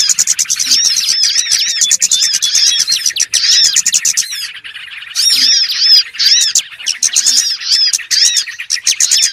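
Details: Small birds calling as a trapping lure: crowded, high-pitched chattering with thin rising and falling notes, a quieter gap around four to five seconds, then renewed bursts of sharp chirps.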